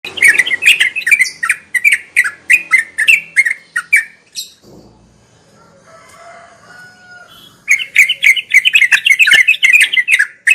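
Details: Sooty-headed bulbul in a dense, continuous ngeropel style of song, used for birds learning to sing: rapid chattering notes with sharp clicks, then a quiet pause of about three seconds before the chatter resumes.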